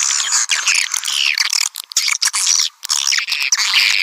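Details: Swiftlet calling sound used as a lure to attract swiftlets: dense, fast high twittering and chirps, with short buzzy notes and brief gaps, continuing almost without pause.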